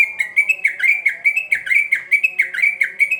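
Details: Sooty-headed bulbul singing persistently, played as a lure for young birds; rapid run of bright whistled notes, each dipping then rising, about four per second, with a faint low hum beneath.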